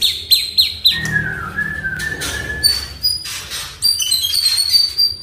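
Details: Oriental magpie-robin song to prompt a quiet caged bird: a quick series of repeated falling notes, then a long low whistle, followed by high sustained whistles and fluttering notes.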